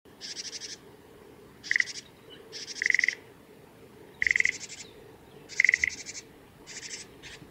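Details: Japanese tit (Parus minor) ground calls around bathing at Kitafuji training area, 20 May 2018: harsh, buzzy calls about half a second long, some opened by a brief clear note, repeated irregularly every second or two over soft hiss.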